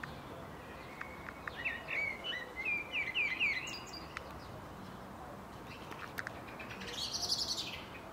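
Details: A distant common blackbird (Turdus merula) sings in a home garden in Ljubljana on 15 April 2023: short mellow, fluty phrases breaking into brief twittering, with a higher squeaky flourish near the end over a steady hiss.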